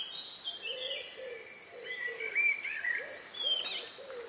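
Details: Last evening songs in the countryside, recorded outdoors on May 2, 2020 around 9 p.m.: soft low notes repeated in a steady series beneath bright whistled phrases and high chirping from several birds.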